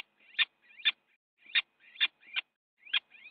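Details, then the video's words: Little owl scuffle in a Dutch nest box, winter morning, one owl biting another: six short sharp rising squeals, each preceded by a thin whine, spaced roughly half a second apart. "Little Owl - fight in the nest box an Owl has bitten the another"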